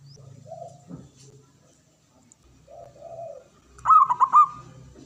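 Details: Zebra dove male, local perkutut, with soft low murmured coos separated by a pause, then a single loud phrase of quick, bouncing cooing notes near the end.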